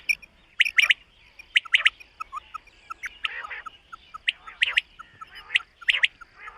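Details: Common quail calling on a summer meadow morning, with bright three-part pulses mixed with short soft whistles and low nasal notes, repeated irregularly.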